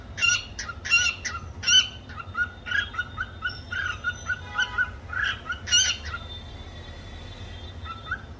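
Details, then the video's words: Cockatiel whistling its learned Cookie Song: quick repeated harmonic chirps and short whistles in a lively sequence, trailing into a long faint held whistle, over a steady low background hum. "Milo The Cocktail singing Cookie Song"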